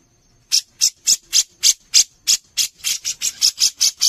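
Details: Songbird contest master of a lively Brown-cheeked bulbul: after half a second of quiet, a steady series of about fourteen hoarse, scratchy notes, speeding up slightly toward the end.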